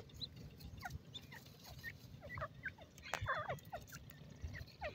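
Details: Ring-necked pheasant chicks on grass make thin, falling cheeps, several birds overlapping irregularly, with a soft low hum beneath and one sharp knock near the middle.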